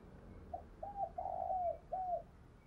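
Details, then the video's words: Spotted dove cooing and calling, used to lure wild doves: a soft series of four mellow, hollow coos, a short first note, then longer slurred notes, the third longest, all at a steady low pitch over faint background hiss. "tiếng cu gù và gáy gọi bổi"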